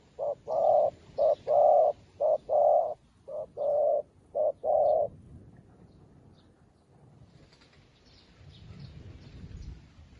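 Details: A newly trained spotted dove lure bird calls wild doves. It gives a rapid series of about eight deep, hollow coos, short and long mixed, about one per second. Then it falls silent and only low ambient noise remains.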